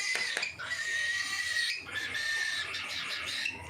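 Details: Cockatiels at feeding time give a long, steady whistled screech held for over a second, then repeat it amid scratchy chatter.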